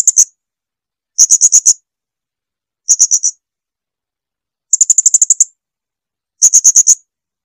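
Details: Clear Blue-crowned hanging parrot song used to tutor kept birds: five bursts of rapid, piercing high chips, roughly one every one and a half seconds, on a silent background.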